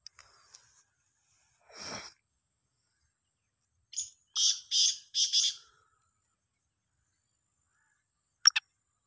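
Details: Black francolin, one bird producing different calls: a lone raspy note, then a rapid run of four harsh, grating high bursts, and a sharp double click after a pause; otherwise quiet.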